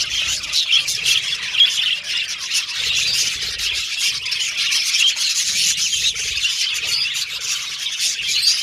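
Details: Pet Australian budgies in full chatter, harsh squeaky squawks mixed with high warbling and chirps from many birds, unbroken throughout.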